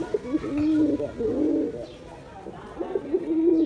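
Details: Male Giribaz pigeon performing: steady low coos, first a sustained throaty roll, then a pause and a second shorter burble.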